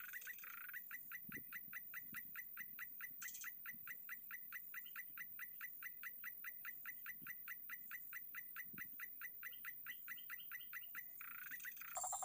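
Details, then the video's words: White-breasted waterhen calling during a luring session: a long, even series of short, sharp notes, each repeated more than twice a second with little variation, with a faint tonal hiss above and soft thumps now and then. "Pikat Burung Ruak-Ruak Paling Santai 2022"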